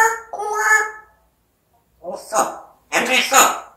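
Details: Pet African grey parrot imitating speech: a tonal phrase, then a pause, then rougher syllable-like bursts mixing harsh and voiced sounds.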